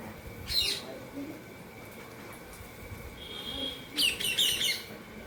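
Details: Indian ringneck parakeet in a happy mood while eating food indoors: a brief high chirp early on, then a quiet gap, then a burst of rapid, sharp, high-pitched chirps near the end.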